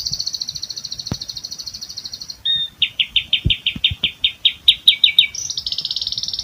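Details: Rolling imitation song (ngerol isian) of the Asian pied starling, strung without pauses. A high fast trill, then a run of evenly spaced clipped notes about three per second, ending in another buzzy high trill.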